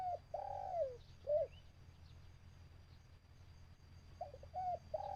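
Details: Caged decoy dove calling to lure wild birds during a trapping session: mellow, slurred coos, one long falling note then shorter ones, a gap, then another burst of clipped coos. Low steady hum underneath.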